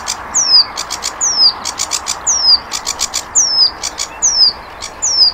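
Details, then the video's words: Sikatan londo flycatcher, recorded for training songbirds. Alternates bright descending whistled slurs with clusters of short high ticking notes, the pattern repeating roughly once a second for several cycles over faint hiss. "Masteran Burung Saingan Berat Sikatan Londo"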